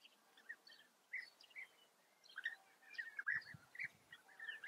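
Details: Scattered purring chirps of European bee-eaters at a colony in Germany's Eifel, quiet at first, then more frequent and louder, with a few low knocks in the background.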